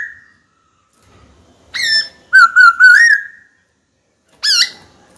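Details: Caged black-throated laughingthrush, trained to sing, challenges a rival bird: a short whistle, then a rolling wavering whistled phrase that rises at the end, and a final sharp downslurred note.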